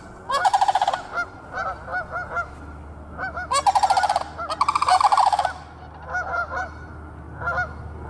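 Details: Sandhill Cranes walking behind a yard in February, giving loud rolling trumpeting rattles in one-to-two-second bursts, several birds overlapping, with Canada Geese in the background and a faint low hum.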